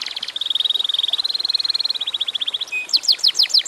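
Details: Atlantic canary singing in a short, lively burst used as a lure to make other canaries sing: a long fast trill of steady high notes, then sharper downward-sweeping notes repeated about three per second.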